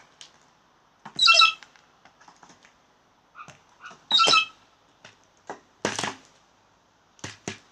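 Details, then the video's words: Blue jays making funny sounds: two loud, harsh, raspy squawks about three seconds apart, with soft clicks and taps in between and a final burst of scratchy noise. "Blue Jays making funny sounds"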